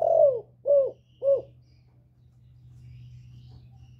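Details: A female spotted dove coos to rouse males: one longer, falling coo followed by two short, hollow coos about half a second apart, then a faint low hum.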